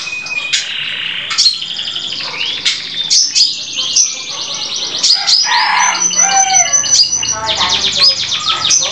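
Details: Young white-rumped shama about one and a half months old, a juvenile bird, giving a busy, varied run of high chirps, sharp ticks and short whistled phrases in quick succession, with a faint voice briefly underneath.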